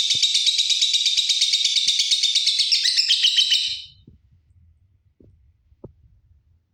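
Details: Lutino lovebird of fighter type calling an opponent: a shrill, rapid chattering trill of high notes, about three per second, pouring out continuously for four seconds, then stopping, leaving faint low knocks and handling noise.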